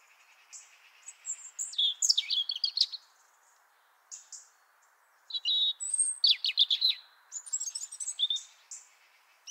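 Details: European robin singing in Liepāja, Latvia, in January 2023: two bursts of rapid, high, varied twittering phrases, sweet thin whistles mixed with quick trills and buzzy notes, separated by a short pause, with a quiet background.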